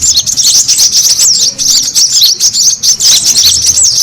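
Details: Brown-throated sunbird lure call, a noisy recording used to draw birds in: dense, continuous high twittering with rapid looping chirps and squeaks from several overlapping voices, with no pauses.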